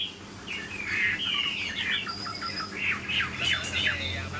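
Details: A caged Chinese hwamei, large-bodied with a good voice, sings a jumble of quick, slurred, chattering notes. Rapid downward strokes repeat several times a second over a low background hum.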